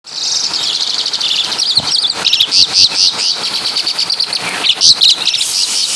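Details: Asian pied starling of Javan origin singing a song packed with imitations of caladi and kapas tembak birds: a dense, fast stream of sharp chirps, trills and bright whistled notes, with a few louder ringing whistles near the middle.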